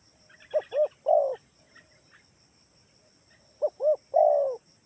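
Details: Kalimantan spotted dove lure call to prompt other doves to answer: two coo phrases of two hoots and a longer falling note, with buzzy chirping insects and low background noise.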